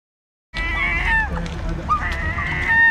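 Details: Herring gull on George's Street Lower, Dún Laoghaire, Dublin, Ireland: harsh, nasal, drawn-out calls, one after another, over a steady low rumble of background noise.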